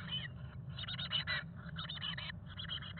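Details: Black-capped chickadees (Poecile atricapillus) in a nest box with nestlings about 18 days old, at fledging, late spring 2022; short, buzzy bursts of chatter, several each second, over a steady low rumble.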